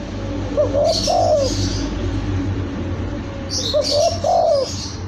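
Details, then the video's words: Two cooing phrases from a young spotted dove, each a pair of short soft notes leading into a longer descending coo, heard over continuous low background rumble. "suara terapi TEKUKUR muda"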